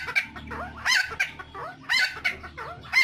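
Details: Cucak timor (helmeted friarbird) lure recording from Nusa Tenggara: rough, chattering phrases with harsh bursts about once a second, broken by throaty looping notes, with a faint low hum behind.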